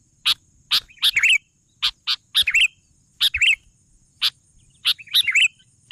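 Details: Lively Sooty-headed bulbul song: isolated harsh chips spaced about half a second apart, alternating with quick bubbly warbled notes in pairs and triplets, over quiet background with a thin high hum.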